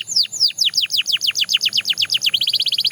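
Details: Belgian canary singing evenly spaced, high, downward-sliding whistled notes about five per second, speeding into a rapid, tight trill at the end.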